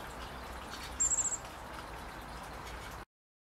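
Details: A Lesser Goldfinch, recorded in 2016, gives a quick burst of five or six very high, thin twittering notes lasting about a third of a second, over a steady background hiss.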